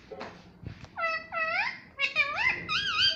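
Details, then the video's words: Word-like voiced sounds from a talking pet parrot saying "mummy papa": a few rising, drawn-out syllables, then a rapid wavering phrase, in a small room. "Mummy Papa Bolne Wala Tota || Talking Parrot || Pattu Parrot Talking"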